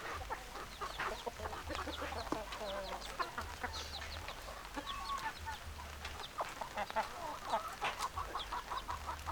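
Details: Chicken flock with hens clucking and roosters crowing: a busy, continuous stream of short overlapping clucks and chatter from many birds, rising and falling irregularly over a faint low drone.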